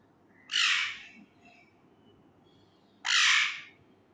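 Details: Two loud harsh squawks, roughly two and a half seconds apart, from a young male Indian ringneck parakeet kept as a pet while learning words; a low hum lies beneath.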